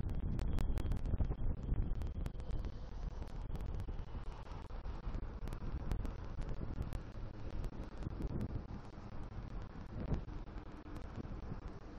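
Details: Strong wind buffets the microphone with a steady low rumble and crackling gusts, and no animal voices are heard.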